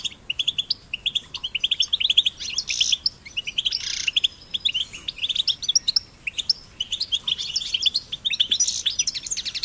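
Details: Young European goldfinches, caged and in nature, produce a busy, continuous twittering of high chirps and buzzy trills, notes overlapping in dense runs with occasional harsher rasping bursts.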